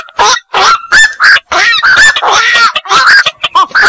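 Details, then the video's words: Black-crowned night heron producing rapid, raucous squawks and croaks, around ten rough nasal notes run together with little pause between them. "suara burung koak"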